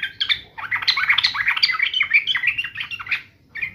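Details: Sooty-headed bulbul in agitated fighting mode, pouring out a dense, bubbly stream of chattering whistled notes that rise and fall quickly, nearly continuous for over three seconds with a short gap near the end.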